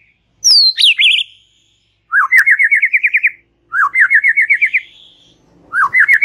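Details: White-rumped shama, relaxed chatter used to stimulate young and wild-caught young birds. A high sweeping whistle with a twisting buzzy end is followed by three upslurred phrases of rapid wavering pulses, each lasting about a second, roughly every two seconds.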